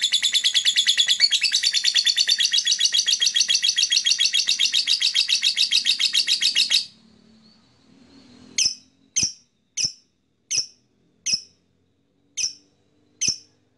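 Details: Blue black masked lovebird (Agapornis personatus) gives a rapid, shrill chattering run of high chirps for about seven seconds, then sharp single chirps spaced roughly a second apart.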